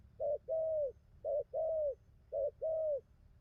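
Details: Wild-caught spotted dove cooing: three paired phrases, each a short coo followed by a longer, even, slightly falling coo, repeated about once a second over a low background hum.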